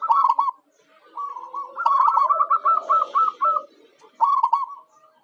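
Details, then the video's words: Zebra dove, a local Javan perkutut used as a lure bird for wild doves, giving a series of rapid, clipped, hooked cooing notes in bursts separated by short pauses, with fainter overlapping calls behind. "Suara Perkutut Lokal Jagoannya Pancingan"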